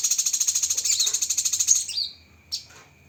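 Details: Cucak kinoi delivering a long, rapid, high trill of evenly pulsed notes for about two seconds, ending in a twisting whistled slur. A single short chip follows after a pause.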